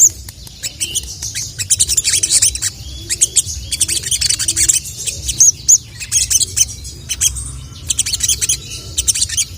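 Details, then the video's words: Sooty-headed bulbul calling to rival males: dense bursts of high, thin chirping, rapid clustered 'cuit cuit' notes repeated throughout over low background hum. "SOGON GACOR CUIT CUIT MEMANGGIL LAWAN JANTAN..! PANCINGAN BURUNG SOGON PALING JITU"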